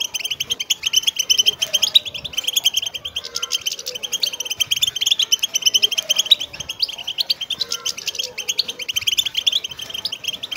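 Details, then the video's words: Wild linnets singing as a group, used to stimulate goldfinches to sing: a dense, continuous chorus of rapid high twittering and chirping notes overlapping throughout, with no pauses. "بتبتة مقنين خلوي"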